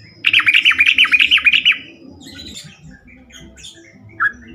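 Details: A yellow-vented bulbul (trucukan) gives a lure song to draw replies from other bulbuls: a rapid string of liquid, gurgling notes lasting over a second, then quieter background chatter and one short note.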